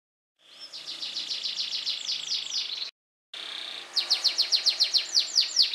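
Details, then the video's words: A pet yellow canary, which sings daily while set outside in the sun until afternoon, sings a high, rapid run of chirps and trills, then a brisk series of clear swooping notes about twice a second. "KICAUAN BURUNG KENARI KUNING"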